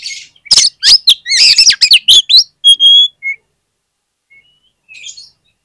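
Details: Loud oriental magpie-robin (kacer) song played as a lure for other magpie-robins: a rapid torrent of sharp, sweeping whistles and clicks, then a pure drawn-out whistle and a faint closing twitter.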